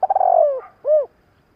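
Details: Spotted dove decoy calling to excite wild doves in training. A single burst of stuttering, pulsed cooing that slides gently downward, followed after a short gap by one rounded, swelling hoot.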